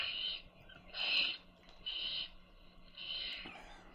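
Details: While their mother feeds them, young owls utter four drawn-out, breathy screeching hisses, each about half a second long and spaced roughly a second apart.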